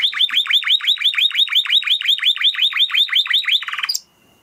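A canary sings a fast, even series of bright, sliding chirps, about five or six a second, ending in a brief buzzy roll before falling silent.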